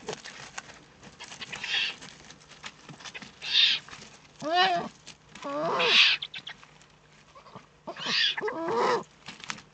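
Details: Eifel eagle-owl, 3 May 2014: a busy run of rasping hisses mixed with several quick, wavering squeaks, sounds overlapping irregularly over about ten seconds.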